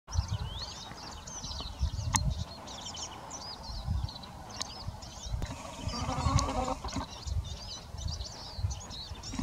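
A male Eurasian siskin sings a fast, high twittering stream of squeaky trills and slurred notes, over heavy low rumble, a few sharp clicks and a brief nasal sound.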